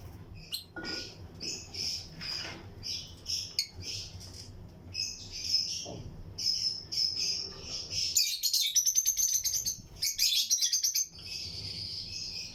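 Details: Pairs of Lutino lovebirds in a flight colony aviary, singing along with other birds around them. Continuous high, squeaky chirps overlap and quicken into a dense, rattling burst of sharp notes midway, over steady low background hum.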